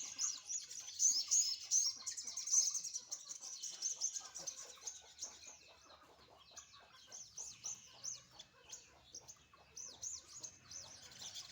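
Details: Sunbird sunning in the morning sun, giving a busy run of very high, thin chirps and twittering trills in quick irregular bursts, with other chatter overlapping throughout.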